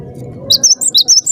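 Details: Rapid high-pitched chirps from a cinereous tit, known locally as gelatik batu, used as a lure so others reply: five bright notes in under a second that jump between two pitches, low background murmur.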